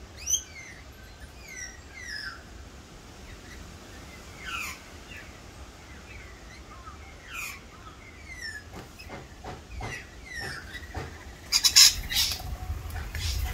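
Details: Wild rainbow lorikeets in Australia during a feeding frenzy: many short, sharp, screechy chirps and squawks, some sliding downward, scattered throughout, with a burst of louder harsh screeches near the end over steady low background rumble.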